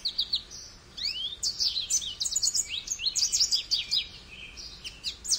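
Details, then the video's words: A goldfinch sings a fast, tinkling twitter of high chirps, slurred whistles and quick buzzy trills that tumble on almost without a pause. "Goldfinch Bird Sounds"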